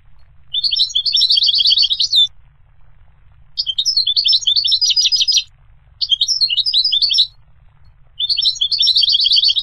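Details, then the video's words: A singing goldfinch delivers four lively twittering phrases of one to two seconds each, mixing quick chips with rattling trills, broken by short pauses. "The Resonant Chirping of the Goldfinch Bird"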